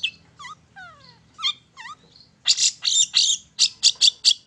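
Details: Long-tailed shrike singing in one spot, played to stir other birds to sing: soft downslurred whistles over a low hum, then loud harsh rasping notes repeated quickly.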